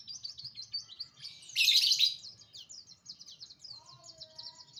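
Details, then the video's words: Morning song of an oriental white-eye, a fast run of high, thin chirps and slurred twitters, broken by a brief loud buzzy burst, with lower soft whistles entering near the end. "burung pleci kicau pagi hari"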